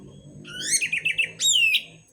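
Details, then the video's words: Orange-headed thrush song used to lure and stimulate other birds to sing: a quick run of rising whistled slurs, then a short pause and a loud, clear downslurred whistle ending in a sharp high note. "Pancingan anis merah paling ampuh dijamin burung manapun akan ikut bunyi gacor ngeplong"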